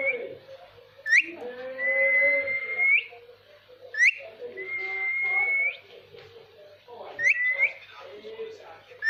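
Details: Ringneck parakeet giving varied whistles, sustained flat tones that bend upward at the end, introduced by quick rising chirps, with softer throaty babble underneath that may be talking.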